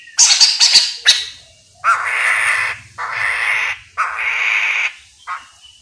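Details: Chestnut-capped laughingthrush (poksay mandarin) calling briskly, a recording meant to get other birds to answer; a rapid cluster of sharp high notes, then four loud, rasping, buzzy bursts about a second apart and a short final rasp.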